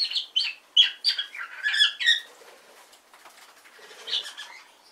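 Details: Hand-tame pet cockatiel practising talking: rapid run of warbled, chattering syllables in the first two seconds, then quieter scattered chirps and a soft warble toward the end.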